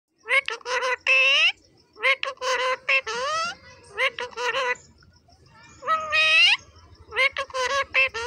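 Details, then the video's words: Pet ring-necked parrot talking in Hindi, repeating the phrase 'Mummy betu ko roti do' in a high, nasal, clearly worded voice, several short word bursts with brief pauses, no other sounds. "Talking parrot in Hindi - Mummy betu KO roti do"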